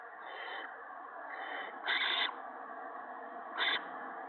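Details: Nest owlets fed a gopher by an adult owl on a March 2017 evening; two softer hissing notes, then two sharp loud raspy screeches, all over a constant broad background hiss.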